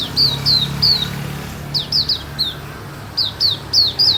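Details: Terrace white-eye singing bright, high descending whistles, delivered in loose clusters of two or three quick notes with short pauses between, over a faint low hum.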